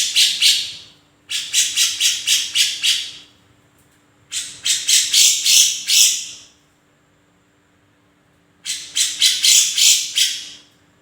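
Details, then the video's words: Cucak jenggot (grey-cheeked bulbul) in full, active song: three loud bursts of rapid, harsh, chattering notes, about six to eight per burst, separated by short silent pauses, with a faint steady hum underneath. "Kicau burung cucak jenggot gacor"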